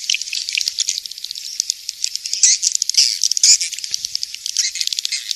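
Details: Swiftlet calls played for swiftlet farming: fast high rattling clicks and chirps, densely packed, with a few louder twittering bursts in the middle.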